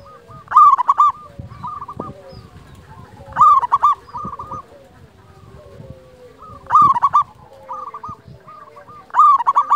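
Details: Zebra dove of local wild stock, a recording meant to rouse silent doves and lure others. Four rich, rolling coo bursts spaced about three seconds apart, with quieter stuttering note trains between them.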